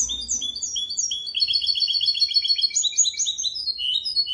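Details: Tutor song of a goldfinch x canary hybrid, used for teaching goldfinches and canaries: a continuous, fast, high-pitched stream of chirps and rolling trills, shifting pitch and speed throughout with no pauses.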